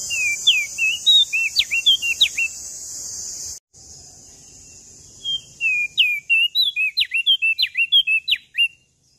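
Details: Lombok common tailorbird in full, lively song. Quick series of sliding whistles and sharp downward-swept notes, given in two bursts, the second longer with about a dozen notes. A steady high hiss sits behind the first part.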